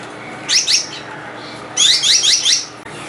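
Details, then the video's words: Gouldian finch calling: a short pair of high, sharp downslurred chirps, then after a pause a longer run of four or five quick descending notes, bright and thin, against a low background hum. "胡錦鳥(七彩文鳥)/Gouldian Finch"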